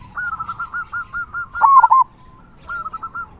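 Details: Active local zebra dove giving the big 'kung' song used to tutor and rouse other doves: a fast run of soft, evenly spaced cooing notes, a louder rolling double coo, then a short quieter series.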